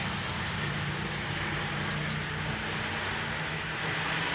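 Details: Fledgling northern cardinal begging to a feeding adult male on its first day out of the nest, Canada, September 12, 2020: sparse clusters of sharp, very high chips separated by pauses, set against a steady low drone.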